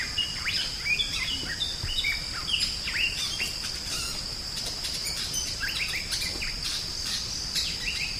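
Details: Drongo in full song, recorded as a master for tutoring songbirds; sharp rising slurs and clipped whistles pour out in irregular bursts, backed by a constant high insect drone.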